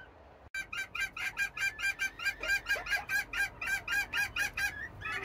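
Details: Group of Serama bantam hens calling loudly in the morning, impatient to be let out of their housing; evenly spaced, buzzy squawks repeated over two per second after a sharp click, with a few softer low notes between.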